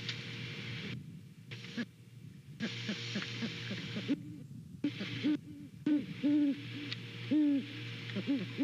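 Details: Great horned owls, a pair hooting back and forth at a nest in Savannah on a late November morning; repeated low hoots roughly once a second in the latter half, interrupted by bursts of camera static.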